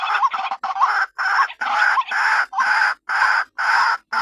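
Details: Loud, rasping croaks from a white-breasted waterhen, used to draw other waterhens closer, delivered in evenly spaced blocks about twice a second, each harsh burst followed by a short silence.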